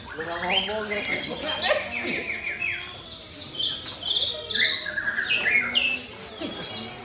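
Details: Competition white-rumped shama, second-place finisher, delivering a dense, fast song of mixed whistles, chips and buzzy trills that shift quickly between low and high notes, with voices faintly audible behind.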